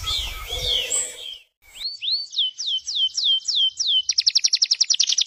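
A songbird repeats high, clear upslurred whistles about twice a second, then speeds into a rapid bright trill; other birds chatter faintly at the start.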